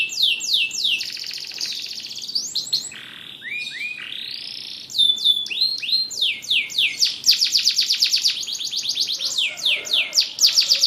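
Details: Singing canary delivering varied high phrases: fast repeated upswept notes, a rolling trill, slower arching swoops, then dense rapid note series, all over a steady low hiss.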